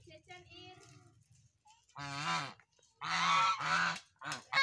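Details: Goose calling with a few raucous, nasal honks, one drawn-out and two clipped, after a soft low hum at the start.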